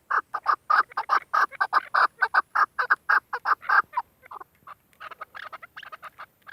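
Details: Female chukar partridge calling, used as a hunting bird. A rapid series of harsh, clucking chuk notes comes about twice a second, loud at first, then breaks into fainter, scattered notes.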